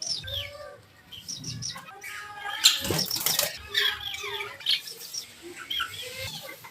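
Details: Green Fischer's lovebird pair chirping in a duet: quick bright chirps and short harmonic squeaks, busy and overlapping, with a faint low murmur beneath.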